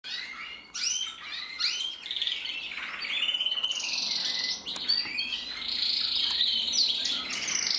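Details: Singing male canary, recorded in 2024, pours out a rapid warbling song of bright chirps, rising sweeps and rolling trills, with brief gaps between phrases.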